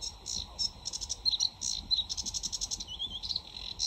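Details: In full flow, a sedge warbler, summer breeding visitor to the UK, pours out a hurried jumble of grating chatters, quick repeated ticking notes and a thin rising whistle.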